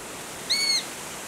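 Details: A Eurasian sparrowhawk fledgling at Treshnish, Mull, Scotland, on 4 August 2016 gives one thin, high, slightly arched squeal about a third of a second long over soft steady background hiss.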